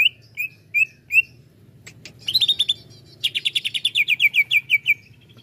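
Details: Greater green leafbird song to excite other leafbirds: four spaced whistled notes, a buzzy chattering burst, then a long series of quick sharp downslurred chirps.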